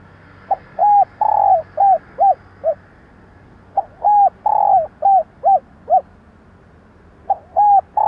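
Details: Female spotted dove cooing to attract and excite males: repeated low phrases, each a short note, a long wavering coo and three clipped notes, recurring about every three seconds over faint background hiss.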